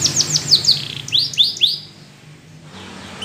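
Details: A yellow canary gives a few sharp, descending high notes and arched chirps over about two seconds, followed by near silence with faint background hiss.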